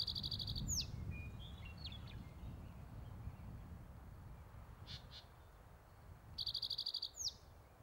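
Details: Male spotted towhee on its territory at Metcalf Wildlife Management Area, Nebraska, recorded May 23, 2023. A song opens the stretch and another closes it, each a brisk high trill and a downslurred end note. Low rumble and a few faint calls between.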